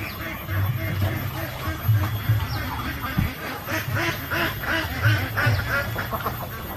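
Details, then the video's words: Ducks quacking on a lake, harsh nasal calls coming in uneven clusters, several overlapping, with a constant low rumble underneath. "Ducks quacking on a Lake"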